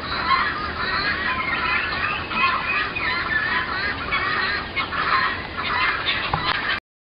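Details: A flock of guineafowl across the road, recorded from a dining room in February or March 2010, gives steady harsh, pulsing cackles overlapping into a dense chorus before ending abruptly.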